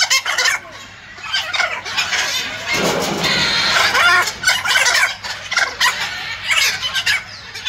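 A macaw gives harsh, raucous squawks in uneven bursts, building into a long grating screech midway before breaking into choppy calls again.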